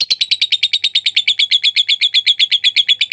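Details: Long ngekek trill of a lovebird, a tutor recording for other birds: steady stream of sharp, high, squeaky pulses, roughly eight each second, even in pitch and loudness throughout.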